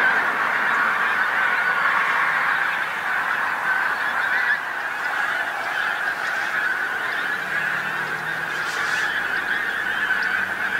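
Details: Pink-footed geese, a huge flock on a roadside field on the North Norfolk coast, England, at sunset; dense steady honking chorus of many overlapping voices, dipping slightly midway.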